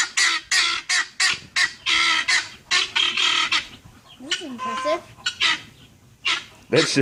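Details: Guineafowl by a police dog, giving loud harsh rasping bursts in uneven runs. A quieter stretch midway carries a lower, wavering, whining sound before the scratchy calling resumes.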